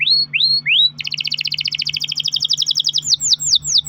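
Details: Canary singing a lure song meant to set other canaries singing: three rising whistled slurs, then a long rapid rolling trill of high pulsed notes, ending in descending whistled sweeps. A low steady hum sits underneath.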